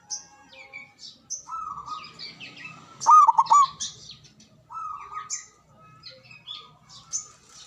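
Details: Local Javanese zebra dove, loud with a long breath, used to lure birds and set off silent doves. A single burst of quick rolling coos sits among long steady notes and dense high chirping from other birds.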